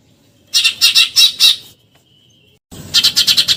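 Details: Burung gereja, the Eurasian tree sparrow, delivering nyerecet shots: a run of five loud, grating high chirps, a pause of about a second, then another quick series of six.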